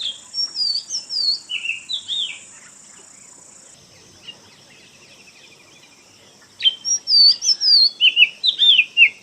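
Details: Oriental magpie-robin singing in a forest: two bursts of varied, sweet whistled phrases that slur up and down, separated by a quieter stretch where a thin, steady high insect-like tone continues.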